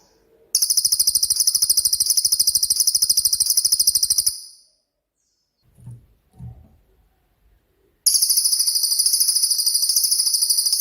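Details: Cililin, a songbird with a 'tembakan' (shooting) song style, used as master song for training songbirds: very high, rapid buzzy trill of fast repeated pulses lasting about four seconds, a brief pause with faint low thumps, then a second trill.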